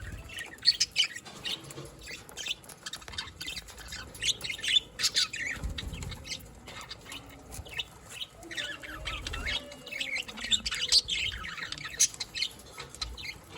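Budgerigars chirp continuously, a busy stream of high, scratchy warbles and squeaks used to communicate.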